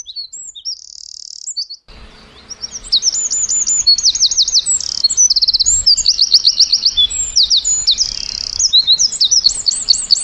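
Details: Eurasian wren singing in a winter forest: after a short opening phrase and a pause, long loud high-pitched song of rapid sparkling trills and clear whistled notes, delivered in fast repeated bursts, with faint low background rumble.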